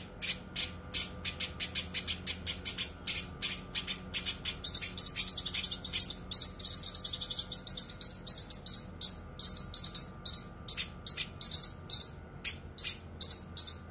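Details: Cucak kinoi songbird on a training recording of dense, sharp song: a fast, unbroken run of sharp, high chirps and trills, tightly packed and piercing, with no other sounds behind it.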